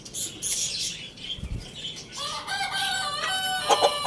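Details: Rooster, tagged as a Lohmann Brown, crowing loudly: a drawn-out harmonic crow rising in the second half, preceded by bright high chirps from small birds and some wing flapping.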